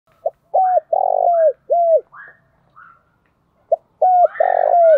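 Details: Spotted dove used as a decoy, calling to lure others: two phrases of deep cooing notes, a short note then two or three longer hoarse coos falling at the end, with fainter higher coos from a second bird between phrases.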